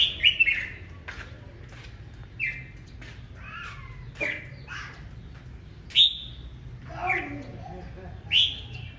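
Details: Red-whiskered bulbul singing fiercely in the morning in the competitive 'đấu ché' style. Short, bright, chirpy whistled phrases rise and fall, come in bursts every one to two seconds, and stand out over a faint low background hum.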